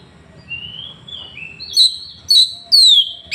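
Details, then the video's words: Oriental magpie-robin (kacer) filmed on an Android phone in Woncoyo village, Trenggalek, Indonesia; soft drawn-out whistles open the phrase, followed by three loud, clear notes, the last a bright downward slur, over a low background hum. "Tembakan kacer paling di cari sekali bunyi langsung bongkar"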